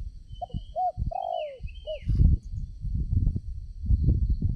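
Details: Decoy spotted dove calling while wild doves are trapped: a short coo, an arched note, a long descending coo and a brief closing note, followed by rustling and thumping, with another bird's thin falling chirps overhead.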